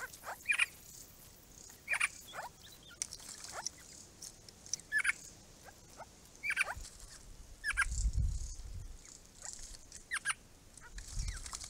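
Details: At a pond built in 2017 for a forming group, Grey-crowned babblers give scattered short scratchy notes and brief whistles. Low rumbling thuds sound near the end.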